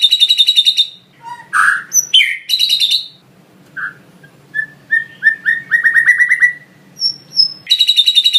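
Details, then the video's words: Master training song of a white-rumped shama (murai batu) filled with lovebird-style phrases: high rapid chatter, squeaky downslurred notes, then a series of soft whistles that quicken into a tight run, ending in another burst of chatter. "Masteran suara burung murai batu full isian lovebird"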